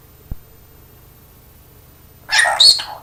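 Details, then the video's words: Pet parrot imitating its owner's coughing; after a quiet stretch with one faint click, a loud, harsh, noisy burst of two rasping cough-like bursts ends the clip. "Papagei spricht und hustet ♦ Parrot speaks and coughs"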